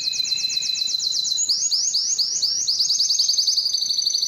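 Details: Spanish timbrado canary singing: a fast, even trill of bright notes for about a second and a half, then a switch to slower, separate falling notes before breaking into a quicker rolling trill again.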